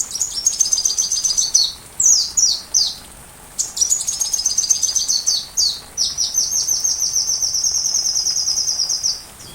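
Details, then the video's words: Sunbird song recorded as a tutor recording for teaching a white-rumped shama to sing: very high, thin rapid trills and twittering phrases, broken by short sharp down-slurred notes, then a long steady buzzy trill near the end; background otherwise quiet. "Masteran Rajanya Isian Kolibri"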